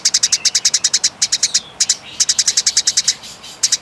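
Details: Fighting Eurasian tree sparrow, its long, clear, rasping chatter nearly continuous: steady streams of sharp, high chirps, several per second, with only brief breaks.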